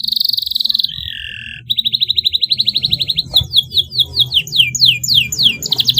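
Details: Canary song played to stimulate stressed or silent canaries to sing: fast high rattling trills, a brief lower buzzy note, then a rapid run of repeated downslurred whistles, with a low hum underneath.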